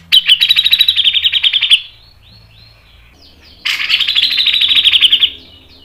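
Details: Grey-cheeked bulbul singing fast, tightly packed mbeset phrases meant to lure other birds into song: two long, rapid, rattling high trills of nearly two seconds each, with a quiet gap between them.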